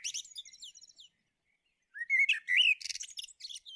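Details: Common blackbird song: a high twittering tail, a short pause, then a rich, rising fluted warble running straight into squeaky, scratchy notes.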